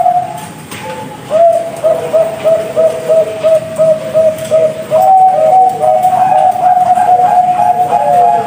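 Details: Zebra dove, a large-voiced Bangkok-type bird from a breeding farm in Jepara, Central Java, Indonesia, hatched May 2022, giving a low whistled cooing: a long note, then a run of quick even bubbling coos, then drawn-out tones with faint hum behind.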